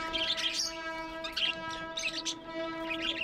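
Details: Several tame budgies chatter in bursts of bright, warbling high chirps, with a steady humming tone from a machine or fan running underneath.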